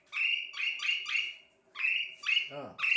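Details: Asian pied starling repeating harsh, squawky whistled notes in quick runs of three, with a brief lower rasping sound near the end.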